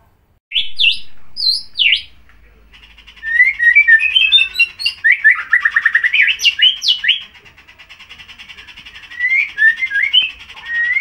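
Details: Captive White-rumped Shama about six months old, just finished moulting its tail feathers, singing actively: a rich, varied run of clear whistles and quick chattering phrases, rising and falling in pitch, with a faint steady hiss.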